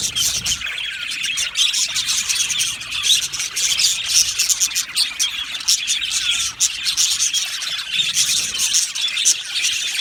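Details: Colony of Australian budgies in an aviary gives a continuous, insect-like buzz of overlapping high chirps, with brief louder bursts of squeaky tweets scattered through.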